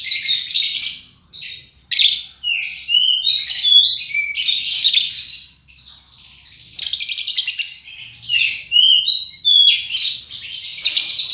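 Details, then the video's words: Lovebird sound played to coax birds into singing: bursts of harsh high chattering alternate with clear upslurred whistles, a short pause, then a fast rattling trill and more twittering. "Pancingan love bird paud"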